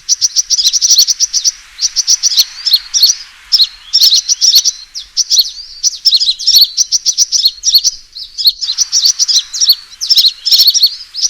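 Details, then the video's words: Sunbird fighting call played as a lure: sustained bouts of very fast, shrill chirping and twittering trills, separated by brief gaps, high and energetic. "suara pikat burung kolibri tarung"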